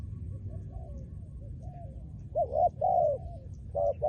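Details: Trained decoy spotted dove singing: after a quiet start, low hollow coos build into a paired, rising-then-falling cooing phrase, followed by another coo at the end over faint low background hum.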